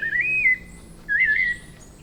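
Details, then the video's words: Song of the White-necked thrush from Brazilian forest: two loud whistled phrases about half a second each, the first rising then holding steady, the second wavering up and down, separated by a brief gap over quiet background. "Sabiá Coleira – Canto das Florestas Tropicais"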